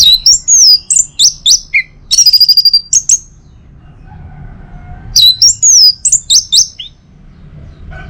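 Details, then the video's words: Morning song of an orange-headed thrush, used to stir other birds into singing. Bright, sliding whistles and rapid chirped notes come in two busy bursts, separated by a quiet pause of about two seconds. "Saatnya Buat ANIS MERAH NGEPLONG Gacor dirumah. Pancing dengan suara burung ini baik pagi hari."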